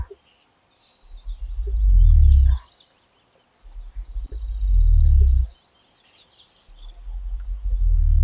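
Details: A cassowary gives three deep, low-frequency rumbling booms, each about two seconds long and roughly three seconds apart, a call said to resound through dense forest; faint higher bird chirps sound in the background.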